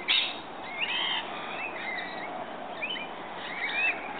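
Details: At morning feeding, rainbow lorikeets give rising and falling whistled squeaks in short groups, one loud sharp note at the start, otherwise fairly quiet.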